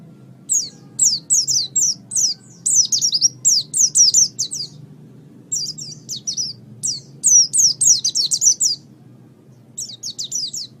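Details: Oriental white-eye (pleci), caged pet, gacor master song: nearly continuous rapid series of thin, high, falling whistles in long phrases broken by brief gaps, with a soft low hum behind.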